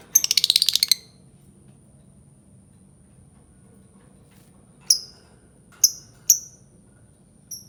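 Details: Albino lovebird giving a short burst of fast, shrill, buzzy chatter, then after a long quiet gap a few isolated sharp chirps that fall in pitch; a faint steady high tone runs throughout.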